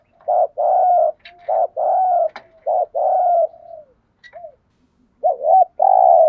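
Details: Cooing of a decoy spotted dove used to lure wild birds: a quick run of loud, low, hollow coos, some drawn out, then a pause with faint ticking before two more double coos.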